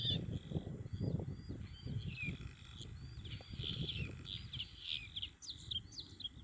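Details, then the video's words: Bluethroat in June 2021 singing thin high whistled notes and short slurred phrases, a few sharper chirps near the end, partly masked by strong low wind rumble. "GORGEBLEUE à MIROIR - Chant d'Oiseau"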